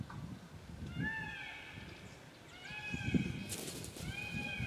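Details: Peacock uttering a series of nasal, wailing calls, each about a second long with a slight rise and fall. The calls repeat three times over low rumbling noise, with a brief crackle near the end.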